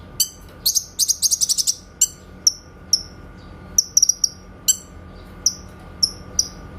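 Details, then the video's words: Grey-cheeked bulbul (cucak kinoy), recorded as a master track for training white-rumped shamas, giving clear 'tembakan' shot notes: sharp high chirps and a rapid stuttering burst near the start, then spaced single notes, with a faint steady hum. "MASTERAN BURUNG CUCAK KINOY SUARA TEMBAKAN JERNIH"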